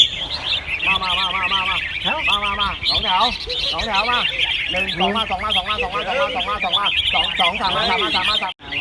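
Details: Caged Red-whiskered bulbuls in a singing competition at Ban Khao Din field, Chonburi, Thailand: many overlapping bright warbled phrases in rapid succession, some lower looping notes, with people talking and clapping throughout.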